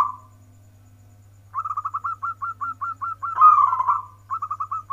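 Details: Local zebra dove singing from its perch in the warkebek style: one coo, then a long run of quick, evenly repeated whistled notes that swell into a loud rolling trill and resume as short notes, with a steady low hum.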